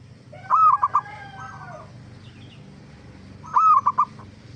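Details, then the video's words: Zebra dove cooing as a lure to make other zebra doves answer: two phrases of a rising note and quick bubbling pulses, the first trailing into a longer low tone. "Masteran Suara Burung Perkutut gacor AMPUH pancingan JUARA BURUNG PERKUTUT BIAR NYAUT BUNYI"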